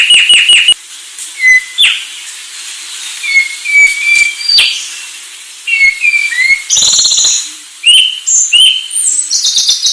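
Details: Sulawesi myna with quick chips at the start, then spaced short whistles and slurred notes, ending in harsher buzzy high phrases and squeaks.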